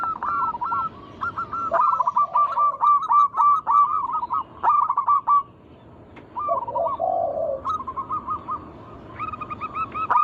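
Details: Local wild zebra doves singing for use as a lure for other doves. Dense, rapidly repeated rolling coos fill the clip, with deeper soft purring notes in between and several birds overlapping.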